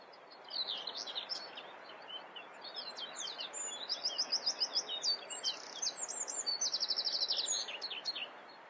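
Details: Singing common whitethroat (Sylvia communis) delivering hurried scratchy phrases, first a few short twittering notes, then a longer burst of dry rattles and buzzy trills lasting several seconds, over low steady background noise.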